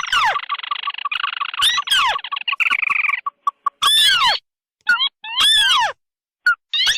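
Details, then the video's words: Crake lure mix of red and white tikusan voices: a rough sustained churring trill gives way to loud arched squeals and hollow, falling whistles in irregular bursts. "Suara pikat burung tikusan merah vs putih"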